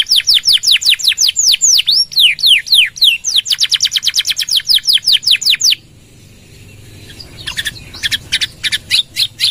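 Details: Canary song, gacor style with long nembak phrases meant for training and provoking other birds: loud rhythmic downslurred whistles repeated about twice a second, a sudden stop, then quieter fragmented chips.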